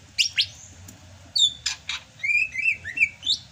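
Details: Greater green leafbird of Sumatra singing during the rainy season, a kept bird: harsh raspy bursts first, then a run of fluid warbled whistles rising and falling in quick succession.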